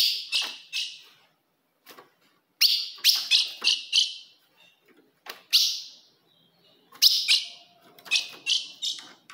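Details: Female-type calls of an ultramarine grosbeak, used to provoke a male: bright, sharp chips delivered in rapid clusters of three to five, pausing briefly between groups.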